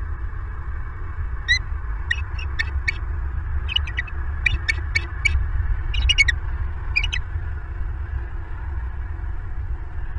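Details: Bald eagle at a Southwest Florida nest, recorded by a nest camera at night on 1 January 2023 around 23:20: a series of thin, high, clipped chirps in uneven bursts over a steady low rumble of background noise.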